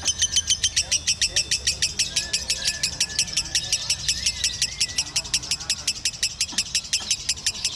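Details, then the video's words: Continuous konslet chatter from a lovebird, sharp high ticking notes packed closely together over nearly eight seconds, with brief faint whistles and low murmuring in the background. "LOVEBIRD KONSLET TOLAK TAWARAN 60 JT GAYA DAN SUARA PALING EXTRIM"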